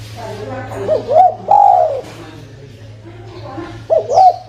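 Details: Spotted dove coos, used as a lure for trapping. Two-note rising coos lead into a drawn-out falling coo, and the phrase starts again near the end. A steady low hum and faint voices run underneath.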